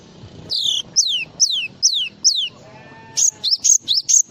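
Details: Java sparrow song in full-isian style: five clear, high whistles, each sliding steeply downward, then a quicker run of short chirped notes, with a faint low murmur of background noise.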